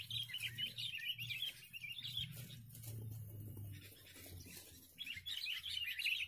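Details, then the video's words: Sooty-headed bulbul in a community decoy-bird contest, giving bursts of rapid, scratchy chattering twitters. The bursts open and close the passage with a quieter gap between them, and a low rumble lies underneath. "pertarungan pikat kutilang cengkram"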